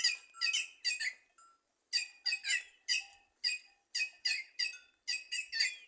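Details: Cancão, the white-naped jay, singing in trees in Simões, Piauí, northeastern Brazil: loud harsh squawky notes in clusters of two or three, separated by short pauses.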